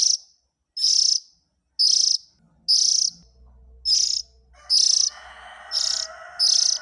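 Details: Calls of an Oriental magpie-robin chick, played to draw in the parent birds: eight short, raspy, hissing bursts in a steady series, with a low hum and faint background noise in the second half.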